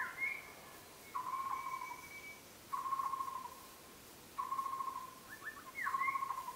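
White-rumped shama giving clear, steady fluted whistles roughly every second and a half, with a quick rising flourish near the end. Faint background hiss.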